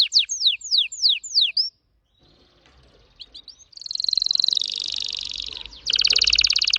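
Red factor canary singing: a run of five sweeping downslurred whistles, a brief pause, then long rapid buzzy trills at high pitch.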